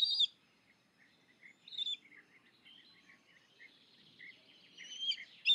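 Black kite begging: thin, high squealing whistles at the start and end, with softer short chirping notes scattered between them over a faint background hiss.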